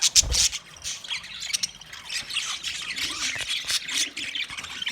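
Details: Chirping budgerigars, a sharp loud squawk at the start, then a steady murmur of high twittering warbles from several birds.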